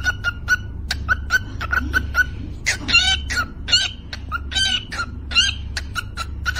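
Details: Parrot kept as a pet sings its "Happy new year" song: a string of clipped whistled notes, then a burst of grating, rasping calls in the middle before the whistles return, all over a steady low hum.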